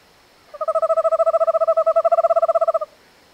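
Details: North American owl giving a steady, fast pulsed trill of about two seconds, evenly spaced pulses on a mid-pitched tone with a fainter higher overtone, against a quiet background.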